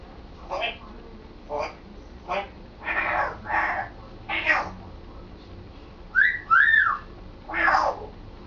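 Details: Pet African grey parrot practising talking at home, recently beginning to say sentences. Several husky, word-like syllables in a loose sequence, then a squeaky whistled double note and one more speech-like burst.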